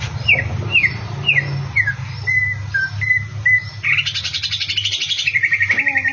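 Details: Greater green leafbird (cucak ijo), a champion songbird, in a training song recording: slurred descending whistles repeated about twice a second, then a buzzy trill and fast rattling notes over a steady low hum.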